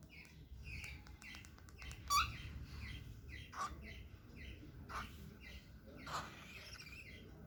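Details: Indoors, a small cockatiel on its first walk makes a steady run of quiet chirps broken by a few louder, harsher squawks, with faint taps and background hum.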